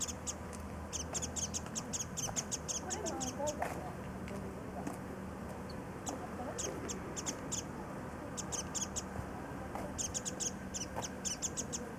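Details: Warbling white-eyes visiting early cherry blossoms at Kitagō Station in Nichinan, Miyazaki, Japan, calling as they feed on nectar and flit about; clusters of short, high, thin chirps come in bursts above constant low ambient noise.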